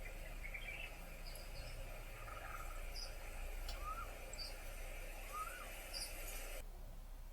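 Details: In Thailand, a singing White-rumped Shama gives short, clear whistled phrases, some slurring upward and some high and sharp, about every second over a steady low rumble.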